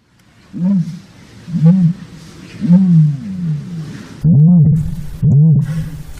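Common ostrich giving deep, hollow, hooting notes, each short and arched, repeated about once a second in a steady low series.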